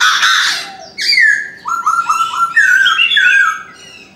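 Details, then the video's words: Morning calling of a Chinese francolin: a harsh opening burst, then three evenly spaced ringing notes and sliding whistled notes in a rhythmic phrase. "Chim đa đa gáy sáng"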